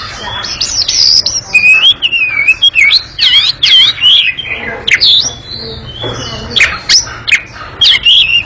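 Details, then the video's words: Energetic chattering song from an Oriental magpie-robin, long and noisy, built from rapid whistled zigzag notes and harsh squawky chatter repeated in quick succession. "Kacer ngekek panjang sangat gesit dan berisik"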